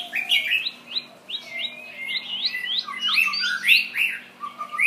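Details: Shama delivering a lively series of upslurred whistles repeated several times per second, building into denser, squeakier phrases and ending with lower clear notes; a soft low hum runs throughout.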